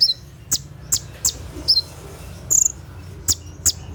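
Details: Olive-backed sunbird (konin) singing at night in its 'tembakan' burst style, used to tutor caged birds: sharp, very high chirps and short downslurred whistles, spaced irregularly about every half second, with a faint low hum beneath.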